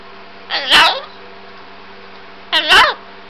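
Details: A pet cockatoo in a silly mood, talking indoors: two short, harsh, speech-like utterances about two seconds apart, each with a rasping burst, against a low steady room hum.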